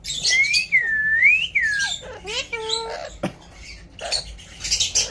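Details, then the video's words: Pet Indian ringneck parakeet talking while eating guava: a long clear whistled note that dips and rises, followed by short gliding whistles, a speech-like harmonic phrase, a sharp click and scattered squeaky chatter. "Indian Ringneck Parrot Talking"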